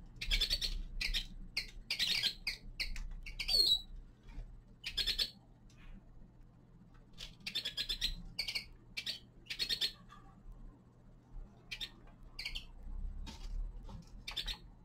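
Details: Common linnet, a young male, singing in winter: long run of quick twittering phrases and sharp chirps, denser at first and sparser later, with a few lone notes over a quiet low background hum.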